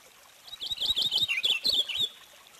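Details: A bright, fast warble from a Purple finch, with short slurred notes run together into a phrase of about one and a half seconds.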